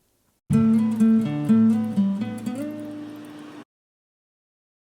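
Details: Plucked acoustic guitar notes and a short strummed phrase play for about three seconds, then silence, with no animal sounds.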